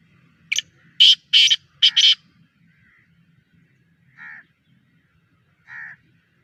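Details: Caged Sindhi Teetar (Black Francolin) of the Sheedi strain, offered for sale: a rapid burst of five loud, rasping, buzzy notes, then after a pause two softer, lower, separate scratchy notes.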